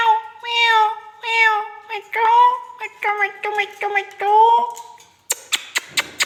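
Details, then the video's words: Indian ringneck parrot talking: a run of voice-like, harmonic syllables with rising and falling inflections in quick succession, ending in a series of sharp clicks or taps. "talking I|ndian |r|ing |neck |parrot"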